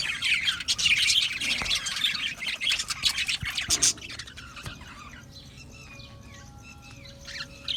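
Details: Australian budgerigar colony in an aviary, busy high chirping and squawks for the first half, then quieter with a few sparse whistled notes and brief chirps.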